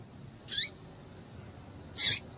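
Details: A female double-collared seedeater gives calls that stir males. Two high, piercing chirps about one and a half seconds apart, each with a short falling tail, against low hiss.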